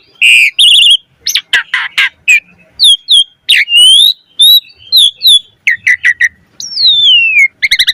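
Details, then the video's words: Jalak suren, the Asian pied starling, in energetic 'gacor' song with varied 'isian' material meant to prompt other starlings to sing: quick chirps, sharp upslurred and downslurred whistles, a long descending whistle and a closing rattle. "Jalak Suren Gacor Mompa Isian - Pancingan Jalak Suren Agar Burung Jalak Cepat Gacor Isian Mewah"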